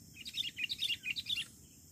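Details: Lure song of a sooty-headed bulbul, meant to draw in wild birds: a quick, fainter chatter of bright twittering notes lasting about a second, over low steady background noise.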